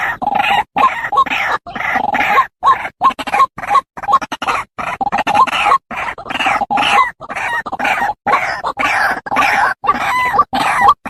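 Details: Repeated rasping, croaking calls of a white-breasted waterhen, delivered in quick steady series roughly twice a second and broken by sudden brief silences.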